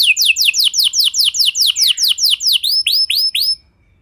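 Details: Canary lure song to make other canaries sing along: about fifteen crisp descending whistled notes at around four per second, the last few more curved, stopping abruptly.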